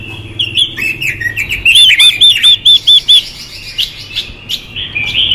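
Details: Chinese hwamei hen, whose voice is used to stir males into song: varied chattering whistles lead into six bright, clipped arched notes repeated rapidly, then softer scattered chirps.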